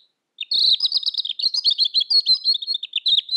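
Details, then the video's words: A robin pours out a fast, unbroken stream of high, sweet twittering notes, tumbling and warbling with hardly a pause, offered as a song recording for training other birds. "Suara Kicau Burung Robin Masteran Gacor"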